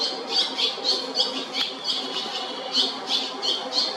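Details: Nestling Barn Swallows in the JR Shinodayama station building, Japan, calling in rapid, high, squeaky pulses, several per second, rising and falling in loudness as the brood chatters together.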